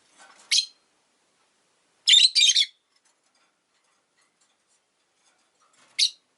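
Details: Pet rosy-faced lovebirds, five birds caged beside a window in winter: a harsh chirp, then a quick double burst of raspy chirps, then a lone shrill note after a pause of about three seconds.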